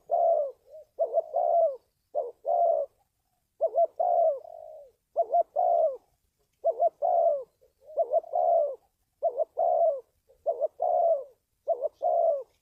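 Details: A long run of spotted dove cooing, played to train a decoy and attract wild doves for trapping. Many low hoarse phrases of a stuttered double note and a drawn coo repeat at a brisk, slightly uneven pace.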